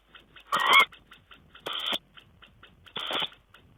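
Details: Tawny owl, 5 June 2010: three loud, rough, hissing calls about a second apart, each lasting a fraction of a second. Faint clicking and shuffling sounds fill the gaps.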